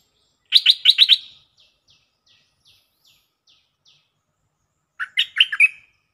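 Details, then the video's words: Stripe-throated bulbul used as a lure: a fast run of four harsh, emphatic chirps fades into a series of soft, evenly spaced ticks. After that comes a typical quick warbled phrase with a slurred ending. "Suara pikat merbah lekir gacor"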